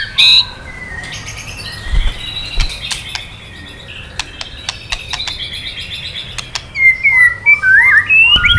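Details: Kretekan of the white-rumped shama, meant to stir quiet males to answer: sliding whistles and clicks over a faint hiss, building to loud rising whistled phrases near the end.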